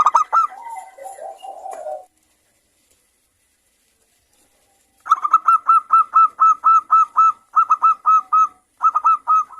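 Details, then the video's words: Local zebra dove singing often in a clear, crystal voice, played to prompt other doves to sing. Low warbling coos come first, then a pause, then a long steady run of sharp, ringing notes repeated about twice a second. "pancingan perkutut lokal gacor suara kristal bagus untuk Merangsang BUNYI kutut"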